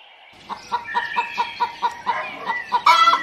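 A chicken clucks in a quick, even series of about a dozen short notes, roughly four or five a second, ending in a louder squawk.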